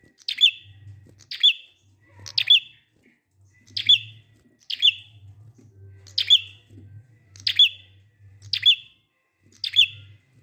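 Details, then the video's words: Ten bright, high prinia chips repeated at an uneven pace of roughly one per second, each a sharp note with a short tail. Ngalun song style used to get other prinias singing. A soft low hum continues throughout. "Prenjak ngalun ampuh 100% buat prenjak macet agar ikut bunyi"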